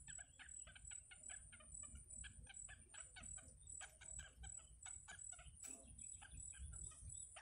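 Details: Yellow bittern young in the nest, fed by the mother bird, keep up a long, busy series of harsh clucking notes in rhythmic runs, with a continuous high-pitched hiss behind.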